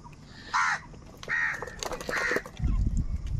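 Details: Crows fighting for food give three harsh, angry caws about 0.8 seconds apart, each a loud banded burst, followed by a low rumbling noise near the end.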